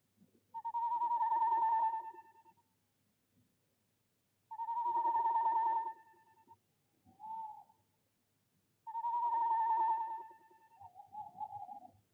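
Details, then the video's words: Tawny owls in De Mortel on 6 February 2021, breeding season: the female calls from nest box 1 with three long, quavering, fairly high tones roughly every four seconds, and the male answers with shorter, lower notes between them. "Bosuil vrouwtje roept in uilenkast 1, mannetje beantwoord"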